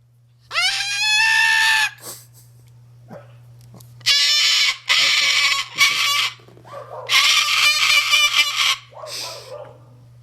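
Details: Moluccan cockatoo, kept as a pet, giving loud harsh screeching bursts, each lasting one to two seconds, separated by short pauses, with a steady low hum beneath.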